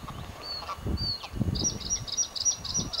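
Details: Bluethroat singing on Texel in the Netherlands: a few thin high whistles, then a quick series of repeated bright notes about every quarter second, over low rumbling wind noise.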